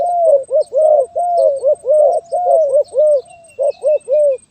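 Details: Zebra dove giving its stuttering 'gagap tindan (sepatah)' song, recorded 23 January 2022: continuous rapid series of mellow, arching coo notes repeated roughly twice per second, loud and close, with faint high chirps in the background.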